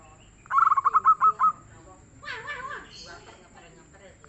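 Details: Song of a local zebra dove, called prolific and mellow: one rapid run of clipped, bouncing coos ending in a held note, followed by rougher, noisier calls from other birds.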